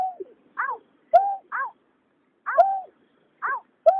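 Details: Water rail male and female, 2021 lure recording for migratory night birds: curved descending harmonic calls alternate with flat, sustained lower notes in irregular pairs separated by short silences.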